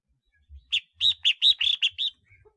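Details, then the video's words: Red-whiskered bulbul of the ringed-neck kind (chào mào khoang cổ), a decoy bird, delivering a faint lead note and then about seven bright, bouncy chirps, one slightly trilled, in close sequence. "Tiếng chim chào mào khoang cổ mồi"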